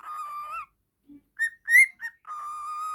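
A budgerigar warbles: long, steady, buzzy-edged whistles broken by a few quick higher chirps, then another sustained whistle. No other sounds stand out.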